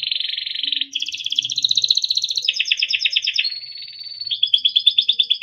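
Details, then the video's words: Timbrado canary song for training, a continuous chain of rolling trills in several tones, each block of rapid repeated notes shifting to a new pitch; faint low background sounds. "Small yellow bird sound - Timbrado canary singing beautiful melodic songs for training"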